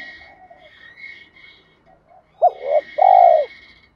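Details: Decoy spotted dove cooing to lure and stimulate wild doves: after soft low murmurs, a short hoarse double note and then a long, loud, deep coo, with a thin steady high tone running behind.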